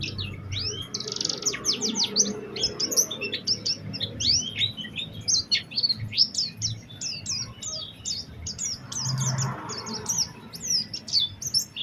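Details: Oriental white-eye used as a lure to prompt other white-eyes to sing: a dense run of high, thin, rapid whistled notes, many sharply rising or falling, poured out continuously with faint low background hum.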